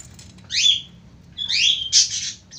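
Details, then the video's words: Lovebird singing in the long-lasting ngekek style: three shrill, high chirps with sweeping rising and falling strokes, the last a harsh burst, separated by short pauses over a faint low hum. "love bird burung cinta // burung kicau ngekek durasi panjang"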